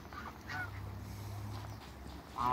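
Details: African and Toulouse geese kept in a backyard, giving a short nasal honk early and a loud harsh honk at the close, against a low continuous hum.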